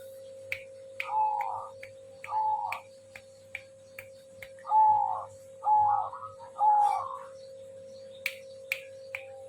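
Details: Zebra dove singing with short, clear, mellow coo notes repeated roughly once a second in small groups, over a steady electrical hum and scattered ticking clicks.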